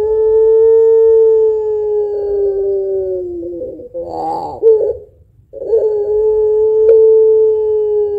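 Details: Singing puter pelung dove used to prompt other birds: a long, level coo lasting over three seconds, a wavering throaty break, then another long sustained coo.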